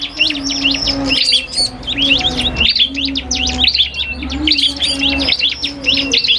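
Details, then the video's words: Cipoh kristal iora and a prinia singing against each other: busy bursts of shrill, rising and falling chirps in two long phrases, separated by a brief pause, over a low steady hum. "FULL DUEL SUARA Cibelk kristal VS prenjak"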